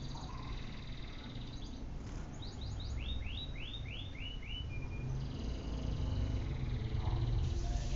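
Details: Canary giving a short series of rising, slurred notes in quick succession, each sweeping upward, over a steady low background rumble.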